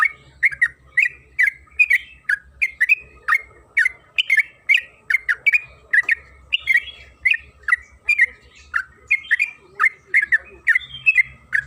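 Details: {'caption': "Long continuous 'gacor ropel' song of a trucukan kebo, or yellow-vented bulbul, played to make other bulbuls sing: a steady stream of liquid, slurred chirps and gurgles, many per second, with faint low rumble."}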